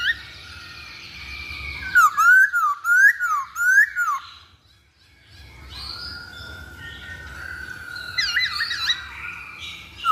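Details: A masked laughingthrush gives a run of about five ringing whistles, each rising then falling, bunched within two seconds. A pause follows, then a softer sustained note and a brief chattering burst.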